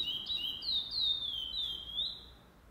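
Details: Chestnut-bellied seed finch competing in a singing tournament on 8 November 2020: a short burst of clear whistled song with long smooth downward glides, tapering off at the close.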